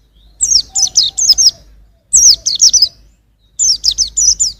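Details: A young white-eye sings in 2021, producing three phrases of bright, high downslurred notes, about five per phrase, separated by pauses of under a second.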